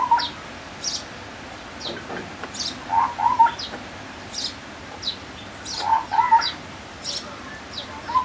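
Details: Sri Lanka scimitar babbler, endemic to Sri Lanka, giving low, hollow, fluty phrases of two or three quick notes every few seconds, with thin high chirps from other birds.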